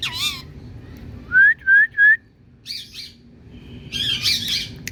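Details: Indian parrot calling: a wavering squawk, then three short bright rising whistles in quick succession, followed by rough harsh squawks, with low background hum.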